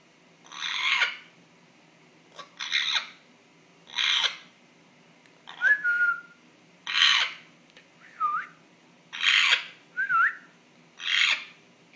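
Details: Pet African grey parrot, male, making strange noises: a string of harsh, hissing squawks mixed with three short falling whistles in the middle, about ten sounds over twelve seconds.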